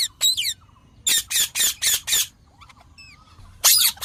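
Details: Green parrot kept as a talking pet, calling with harsh, rasping squawks in a quick series, faint falling chirps in a pause, then a final squawk.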